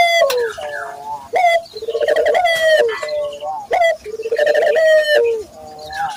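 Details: Local Barbary dove in full cooing form, used as a lure to make local doves coo: low, throaty rolling coos, each opened by a sharp rising note and then drawn out, roughly every two and a half seconds.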